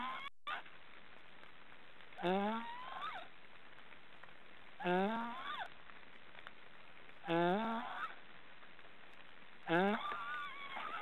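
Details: Three young black storks in a nest in an Estonian forest "snoring": hoarse, rising, nasal calls, four in all, one about every two and a half seconds, over a quiet background.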